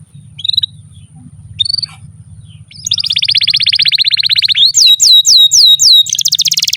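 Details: Domestic canary song used as a tutor recording for young and non-singing canaries: soft chirps at first, then a fast dense trill from about three seconds, followed by a run of loud descending whistled sweeps and a rapid buzzy roll, with low hum underneath.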